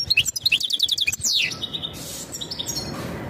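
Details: European goldfinch mating calls, sung to ready the female for breeding: a quick series of bright repeated chirps and a falling slur, then softer, drawn-out buzzy notes as the phrase fades.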